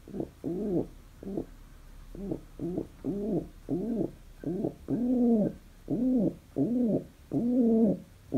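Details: Happy pet pigeon indoors giving a run of about a dozen short, rounded, throaty coos at an uneven pace, some clipped and quick, others fuller and louder toward the end.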